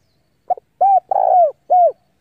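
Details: Decoy spotted dove cooing to summon rival birds to fight: a quick double note, then a rounded coo, a long slurred coo and a closing falling coo in one clear phrase.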